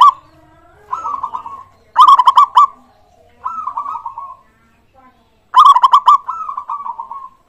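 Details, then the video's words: Zebra dove song used as a lure for other birds: two loud bursts of quick staccato notes, each followed by a rolling trill. Softer trilled phrases come between the bursts, with quiet pauses. "pancingan burung perkutut gacor suara disukai bikin cepat bunyi langsung nyaut manggung gacor"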